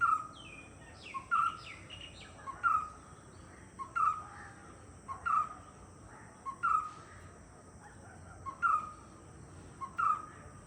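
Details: White-cheeked barbet (Chinna Kutturuvan) calls rhythmically, about eight accented mid-pitched notes repeated every 1.3 seconds, with higher chirps from another bird at the start and a steady faint high hiss.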